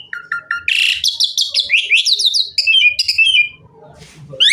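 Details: Asian pied myna in lively full song, its filler phrases used to coax other mynas to sing: short whistles, a harsh rasping burst, then rapid rising and falling trilled notes, ending in faint low rustling.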